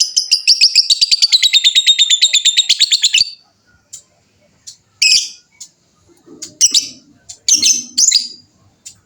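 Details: Lovebird of fighter type in its ngekek panjang style: an opening trill of about three seconds, made of rapid pulsed high notes that dip slightly in pitch, followed by isolated squeaky chirps and chattering bursts.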